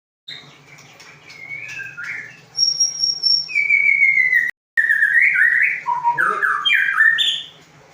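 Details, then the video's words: Magpie-robin singing a varied whistled song: clear sliding whistles, some held steady and high, others swooping up and down, with a brief break midway and a low steady hum underneath. "Kicau murai"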